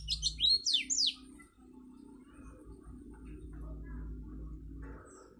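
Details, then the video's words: A white-eye gives a quick burst of high, sweeping chirps and twitters lasting about a second, then a low indoor hum; the song is used as a master recording to train young white-eyes to sing long songs. "pleci gacor dor || cocok untuk masteran pleci agar cepat buka paruh"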